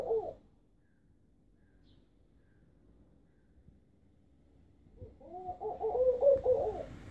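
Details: A laughing dove in Istanbul, a tame species here, gives a soft, low, bubbling coo of several quick rising-and-falling notes after a brief opening note and a quiet pause.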